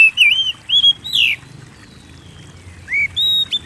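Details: Oriental magpie-robin in full voice, used to stimulate singing in kept birds: a few rich whistled notes and a harsh downward slur, a quiet gap, then more clear rising whistles, with soft low rumble behind.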